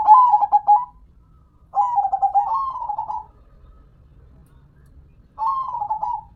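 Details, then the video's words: Local zebra dove (perkutut) gives mellow cooing song phrases: a short stuttered burst, a longer phrase that dips and then rises into a smooth falling coo, and after a pause a brief rolling coo. "Dengar Dan Rasakan Manggungnya, Suara Serta iramanya BIKIN CANDU"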